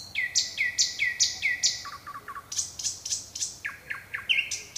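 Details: A nightingale singing at night gives rich, varied phrases of repeated whistled and sweeping notes, switching pattern every second or so.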